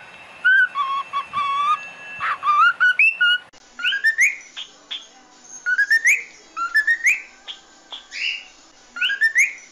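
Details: Singing cockatiel kept as a pet: varied whistled phrases, falling and rising notes, then a series of short upswept chirps in quick groups.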